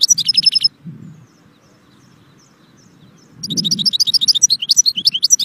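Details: Goldfinch singing in two bursts of rapid, high, tinkling twitter separated by a quiet pause of about three seconds, with a faint low rumble behind.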